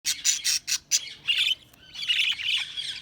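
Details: Budgerigar chirping: a quick run of bright, scratchy high chirps in short bursts, then a longer warbling chatter of buzzy notes with a brief pause between.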